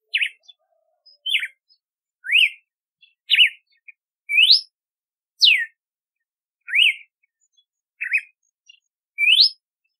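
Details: Red-cowled cardinal, also called galo de campina, delivering a steady series of loud whistled phrases about once a second, alternating falling slurs, short warbled notes and rising upslurs, clean and unaccompanied.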